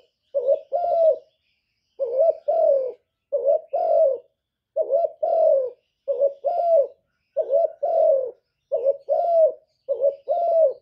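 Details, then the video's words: Spotted dove giving a long series of two-part coos, eight phrases in about eleven seconds, each a brief hollow note then a fuller drawn-out croo dipping at the end, evenly paced with short pauses; no other sounds. "TIẾNG CU ĐẤT, CU CƯỜM GÁY, CU GÁY CHU LÈO, CU GÁY CÀ LĂM, TIẾNG CU ĐẤT, CU GÁY KÍCH BỔI, CU GÁY GÙ"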